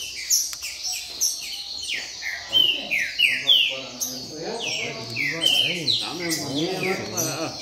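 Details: Several Double-collared Seedeaters (coleiros) in a singing circle sing quick, overlapping runs of bright, high, downslurred whistled notes while men talk in the background.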